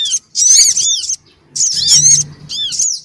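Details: Lure recording of noisy black-winged cuckooshrike, female and male, played to draw small birds; shrill high chattering bursts of arched, curving notes, two long bouts with short gaps and a brief final burst.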